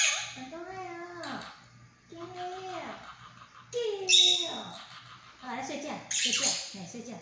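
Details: Pet monk parakeet talking, mimicking Chinese words and phrases: a run of nasal, harmonic syllables with gliding pitch, broken by short harsh bursts, with brief pauses between phrases; indoors.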